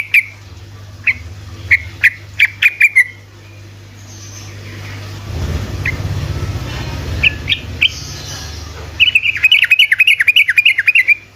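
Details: Sooty-headed bulbul in rapid 'ropelan' singing, played to stir lazy bulbuls into answering: bright, clipped chirps in a quick string, a lull with low rumbling noise and a few scattered notes, then another fast burst of chattering notes.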